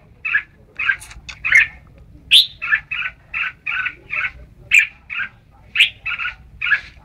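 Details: Red-whiskered bulbul recorded at Ban Song, calling in quick runs of short, clipped chirps, often in pairs or threes, punctuated by occasional higher sharp notes; background otherwise quiet.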